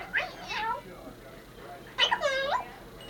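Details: A female pet Congo African grey parrot kept indoors, wishing a Happy New Year: two drawn-out, harmonic, meow-like vocal phrases about two seconds apart, gliding up and down, with quiet room noise between them.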